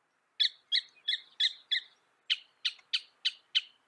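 Northern Mockingbird song: a harsh, chattering note repeated five times about three per second, then a switch to six raspier, buzzier notes at the same pace.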